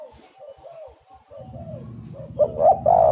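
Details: Spotted dove lure call for trapping birds: soft, muffled cooing over a low rumble, building at the end into clipped notes and a loud, drawn-out hoarse coo.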